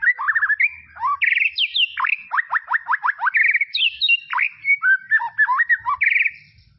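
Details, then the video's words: White-rumped shama song used as a training tutor for young birds, tropical forest setting: loud varied whistled phrases, a rapid run of steeply descending notes, slurred rising and falling whistles and brief chattering, clean with no other sounds. "BEST SUARA KICAUAN MURAI BATU HUTAN TROPIS"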